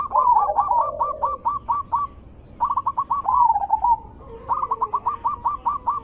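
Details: Zebra dove lure call meant to set off answering zebra doves: three runs of rapid, clipped staccato coo notes, one holding a drawn-out rolling coo, with a lower, softer cooing line overlapping beneath.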